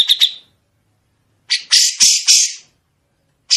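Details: Grey-cheeked bulbul on a tutoring recording for songbirds, giving a couple of quick sharp notes, a long pause, then loud rasping buzzy bursts in close succession.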